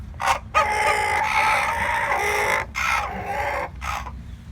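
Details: Rooster crowing loudly: a short harsh note, then one long, hoarse, sustained crow of about two seconds, followed by two shorter rough bursts, with steady low background noise.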